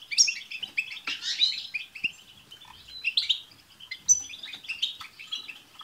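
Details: Chorus of European goldfinches singing at once to encourage a pet goldfinch to sing: dense, fast, high twittering with liquid trills and tinkling notes running continuously, louder bursts near the start and middle.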